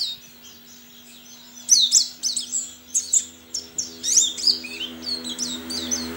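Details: Contest white-eye from Sambas, West Kalimantan, Indonesia, caged and fed banana and egg-food; after a quiet start, bursts of high sharp chirps and twisting whistles tumble out continuously over a steady low electrical hum.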